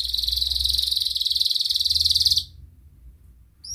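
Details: Atlantic canary in a lure recording meant to start other canaries singing. A steady, very fast, high buzzing trill rolls on for over two seconds, then stops, leaving quiet with a faint note at the end.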